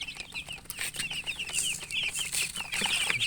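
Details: Several baby chickens chirping closely: quick, high, slightly falling peeps tumbling one after another in an uneven stream, with light scuffling noise underneath.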